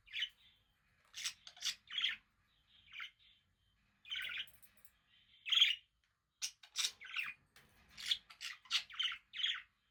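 A budgerigar warbles in bursts of scratchy, high chirps and buzzy chatter, with brief pauses between phrases.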